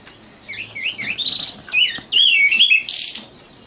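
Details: Song of a common nightingale: short swooping whistles, then louder sliding phrases. A harsh, buzzy burst of noise comes near the end before the bird goes quiet.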